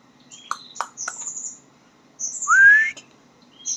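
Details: Young white-rumped shama learning to sing: a few scratchy clicks and thin high whistles, then a clear rising slurred whistle, with soft broken notes after.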